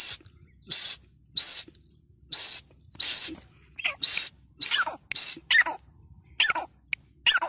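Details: Grey francolin voice: separate short, high, piercing whistled notes spaced irregularly, some followed by lower rasping, falling squeaks in the second half.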